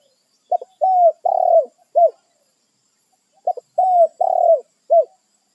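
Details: Spotted dove calling companions in the wild, territorial: the same four-part phrase given twice about three seconds apart, each with a short double pip, a smooth coo, a longer rasping coo, and a brief arched final note.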